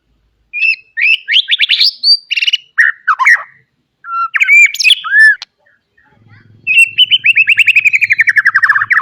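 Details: White-rumped shama singing a varied, fill-heavy training song for young birds: quick chirps and slurred whistles, a few low clear notes, then a long rapid series of descending staccato notes; faint low hum near the end.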